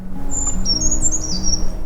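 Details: A Brown Creeper in the Allegheny National Forest sings a brief jumble of very high, thin, sliding notes lasting just over a second, over a low steady hum and soft background music.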